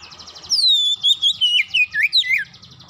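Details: Oriental magpie-robin singing, played as a lure to get birds in song: a long clear whistle gliding downward into a string of looping, warbled notes over a steady buzzy trill in the background.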